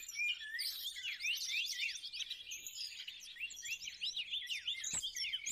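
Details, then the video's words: Bar-winged prinia lure recording: a dense, busy stream of sharp, high chirps and short buzzy notes tumbling over one another without pause. "suara pikat burung cigun ciblek"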